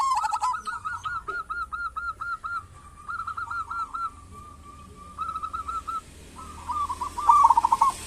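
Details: Zebra dove of local type, played to coax other zebra doves into calling: a long run of evenly spaced soft coos, then broken bubbly phrases, ending in a louder rolling burst.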